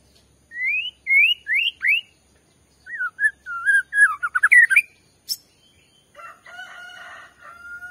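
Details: White-rumped shama song used as a lure to provoke another shama into singing: four rising whistled notes, then a varied run of warbled, trilled phrases, a sharp click, and a softer buzzy chatter at the end.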